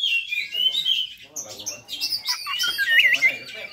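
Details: High-pitched fighter song of an Oriental magpie-robin, meant to stir up other magpie-robins; sustained warbling whistles blending into rapid varied chirps and trills, with no pauses across the phrase.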